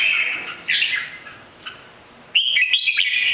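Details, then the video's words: A red-whiskered bulbul of three moults from Bình Định, a strong singer that flutters its wings, gives bright, liquid warbled phrases: a short burst first, then a louder rollicking run of quick notes after a pause. "Chim chào mào 3 mùa hót đỉnh chơi cánh bướm"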